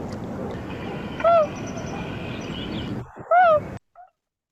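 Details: Loon giving the hoot, its shortest call, a greeting used among loons gathered in rafts on the Great Lakes during fall and spring migration and by parents to encourage chicks: two soft, short mellow hoots about two seconds apart.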